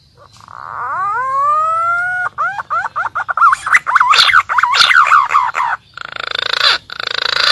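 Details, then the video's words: Pink-necked green pigeon lure call used for hunting: a drawn-out rising whistle followed by rapid looping notes about four a second, becoming loud, rough and crackly, ending in a noisy hiss. "SUARA BURUNG PUNAI PIKAT AMPUH DAN JITU"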